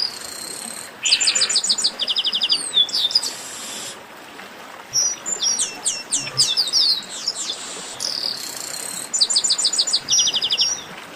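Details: Chestnut-capped blackbirds singing together in a 'baderna' used for warming up singing birds: dense high trilled runs, sweeping slurred whistles and buzzy bursts, with several birds calling over each other in waves.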